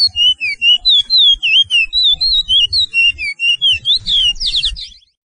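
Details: Chestnut-bellied seed-finch training song, the style called Pijé-Pijé in Suriname: a rapid run of clear whistled, slurred notes rising and falling, ending in a burst of harsher, buzzier notes before cutting off.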